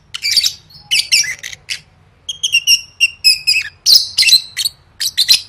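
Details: Lovebird in singing-competition training: chattery squawks, then a run of evenly spaced clear ringing chirps, followed by rapid harsh bursts; low background hum.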